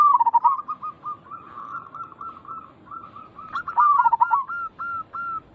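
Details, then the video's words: Local zebra dove call used to make other zebra doves answer. A loud trill at the start, a long chain of softer rapid coos, then a second loud rolling trill and a few spaced notes. "Perkutut lokal gacor Suara ini membuat Burung Perkutut langsung Nyaut cepat respon"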